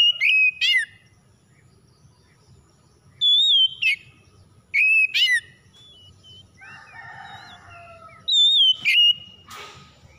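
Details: Magpie-robin song used to provoke other magpie-robins into singing: loud whistled phrases ending in sharp buzzy rattles, repeated at uneven intervals. Between them comes a softer, warbling passage of lower notes.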